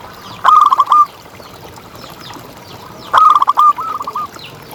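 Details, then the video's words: Singing contest-grade local zebra dove kept for tutoring other birds: two short rolling coo phrases about two and a half seconds apart, the second trailing into softer clipped notes, over a quiet hiss. "Perkutut Juara Gacor Ngalas"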